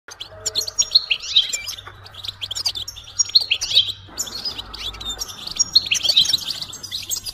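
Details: European goldfinch bitbita and stista calls, mating and readiness calls used to stimulate a silent male to sing; bursts of bright twittering and liquid chirps come in phrases with short pauses, plus a faint low hum.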